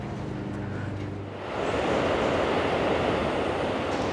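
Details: Steady vehicle or train rumble throughout, broadband and getting louder after the first second and a half, with low engine hum early on and no animal calls heard.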